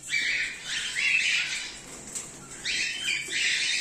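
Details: Cockatiels in a breeding colony, including cream-face ino and normal grey birds, with raspy rising screeches overlapping from several birds in quick succession.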